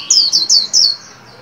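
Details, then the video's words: Captive white-eye in training for the líu song at the 2021 new year: four piercing, descending whistled slurs delivered fast, each overlapping slightly into the next, then a faint tail. "Vành khuyên líu hay"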